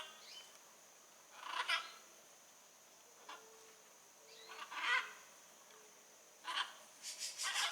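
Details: Blue-and-yellow macaw in nature, heard farther off: a few harsh squawks separated by long quiet gaps, with a faint steady hum in the background.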